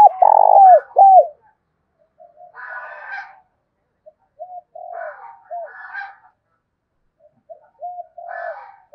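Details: Spotted dove kept as a decoy with a 'thổ' voice, cooing to draw wild doves into calling: loud, low, hollow coos at the start, then softer short coos alternating with recurring harsh, rasping calls.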